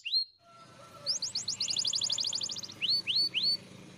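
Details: Spanish Timbrado canary training song: a soft rising note, then a fast rolling trill of high sweeping notes for about two seconds, ending with three separate upward-swooping whistles.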